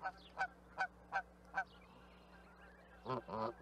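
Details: Canada goose calls: a fast series of five sharp, clipped honks about every 0.4 seconds, then a pause and a rougher, louder cluster of honks at the end.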